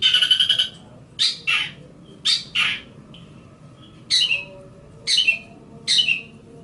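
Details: Long-tailed shrike song for training other songbirds: a rapid buzzy rattle, then paired harsh notes and single scratchy calls spaced about a second apart.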